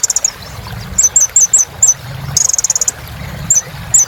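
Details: Kolibri ninja sunbird in 'gacor' song to restart silent birds: clusters of very high twittering chirps, then a short rapid buzzy trill, then more scattered sharp chirps.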